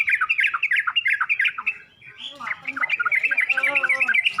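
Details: Yellow-vented bulbul training song for birds learning to sing: busy, bubbling whistled chatter of quick rising and falling notes, briefly pausing midway, then resuming with a jumble of warbled notes.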